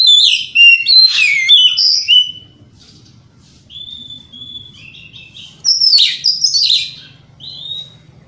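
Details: White-rumped shama song played to provoke other shamas: an opening burst of harsh chattering and whistles, a quieter stretch of soft steady whistles, then another loud mixed burst ending in a short whistle; faint low hum throughout.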